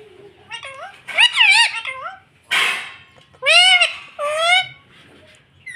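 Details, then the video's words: Rose-ringed parakeet kept as a pet, speaking the word "mummy" several times: wavering, voice-like harmonic syllables in pairs, broken by a brief noisy rustle midway. "मम्मी बोलने वाला तोता"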